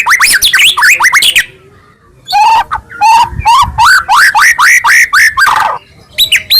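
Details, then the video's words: White-rumped shama morning lure song to get a pet shama singing: a rapid tumble of varied whistles, a pause, then lower rising slurred notes repeated about twice a second. "PANCINGAN MURAI PAGI HARI GACOR FULL KRETEK"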